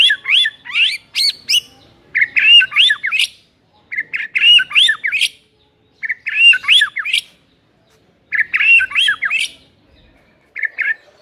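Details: White-rumped shama song used as a lure to provoke a lazy shama, in the tight rapid 'tembakan rapet' style: bursts of fast, varied chattering and whistled notes, about a second long, repeated roughly every two seconds with short silences between.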